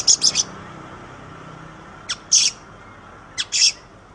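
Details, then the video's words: Oriental magpie-robin in a recording for training songbirds. Gives three short clusters of harsh, hissing rasps, each preceded by a brief sharp note. Long quiet gaps separate the clusters, with faint hum throughout. "Ocehan Suara Burung Kacer"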